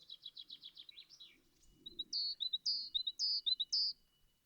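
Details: A great tit sings clear, high two-note phrases, repeated steadily about twice a second with metronome-like rhythmic, cyclic regularity; a quick run of rapid chipping notes comes just before.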